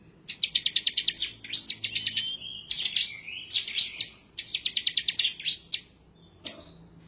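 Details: Bar-winged prinia (ciblek) singing in an excited, insistent, emotional mood while seeking a rival; high, rapid rattling bursts of sharp repeated notes, several series in a row joined by thin sliding whistles, then a lone short note near the end.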